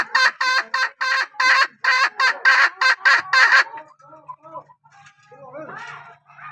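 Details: A hen gives a fast series of short, harsh, raspy notes, about three per second, then stops; softer chirps and low background sounds follow.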